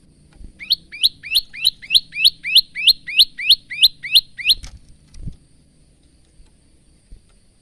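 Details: Male bar-winged prinia singing with varied phrases, used as training song for cage birds: a fast series of about twelve sharp rising chirped notes, roughly three per second, then silence with a low thud.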